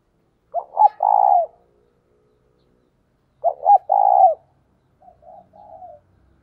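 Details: Spotted dove used as a decoy to draw wild doves: two strong coo phrases of two quick notes and a longer falling coo, about three seconds apart, then a quieter softer phrase.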